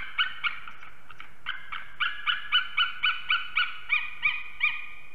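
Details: Adult eagles mating at their nest in Ķemeri, Latvia, early morning, 8 March 2024, heard through a nest camera. An even series of bright, ringing yelps repeats about four times a second.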